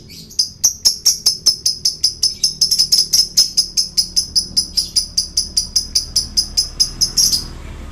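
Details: Male lovebird chattering steadily, a lure sound for trapping birds: a fast, even run of shrill, high chirps at roughly two to three per second, sustained for about seven seconds before stopping abruptly.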